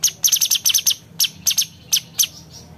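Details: Grey-cheeked bulbul (cucak cungkok) delivering crisp 'nembak' shooting notes meant to tutor contest birds: bright down-slurred chips in quick groups, then spaced single notes.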